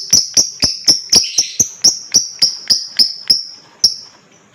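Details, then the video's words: Lovebird in 'ngekek' chattering, played to prompt other birds to join in: a rapid series of sharp, high ticking notes, about four per second, slowing and fading toward the end. "TERAPI JITU BUAT LOVEBIRD,Ngekek dan Gacor Lanjut burung lain dengar ikut gacor dan ngekek"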